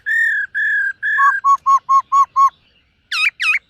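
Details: Silver-eared laughingthrush singing in the morning to train its voice: three long steady whistles, then a quick run of six shorter lower whistled notes, a pause, and three loud rising, ringing phrases.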